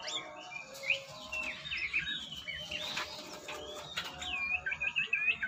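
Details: White-rumped shama in a breeding aviary, giving a varied song of clear whistled phrases that rise and fall, ending in rapid looping, warbled notes, over a steady low background hum.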